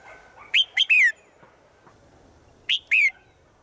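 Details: Female bird calling to the male in the forest each day: a three-note whistled phrase, rising notes then a falling slur, followed about two seconds later by a two-note version.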